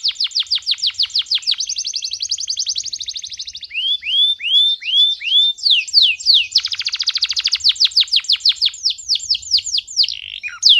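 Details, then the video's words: Fired-up male canary singing for training youngsters and exciting females: long bright song of rapid repeated chips, curved swooping whistles, dense rolling trills and quick chatter, loud and continuous for over ten seconds. "اقوى تغريد ذكر كناري حامي نار 🔥 ولا اروع للتسميع صغار الكناري وتهيج الاناث"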